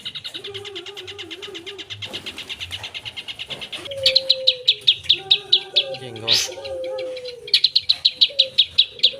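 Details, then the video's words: Long-tailed shrike (cendet) in vigorous full-fill song: a long buzzy trill, then crisp rapid chip series, while lower wavering whistles sound in the background. "Suara Burung Cendet Gacor full Isian"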